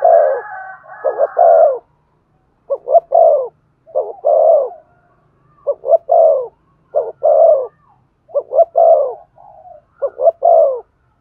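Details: Stimulating coos of a spotted dove meant to set a decoy bird calling: a long run of low three-part phrases, two brief notes then a fuller sustained coo, repeated steadily with short pauses between.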